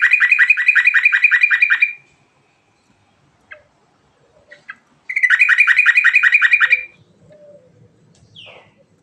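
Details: Two bouts of rolling 'ngerol' song from a yellow-vented bulbul, each a rapid string of bright bubbling notes about two seconds long, separated by scattered soft chips and ending with a brief downward whistle and faint low rumble.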